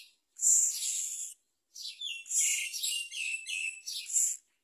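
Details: Hungry young myna fed a large blue caterpillar by its parent: a long grating rasp, a pause, then a chattering run of scratchy notes mixed with lower chirps.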